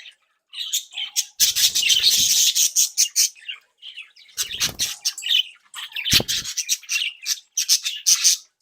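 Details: Happy, active budgerigars from a home breeding group: loud rapid chattering, rasping squawks and chirps in quick irregular bursts, with wing flaps and knocks.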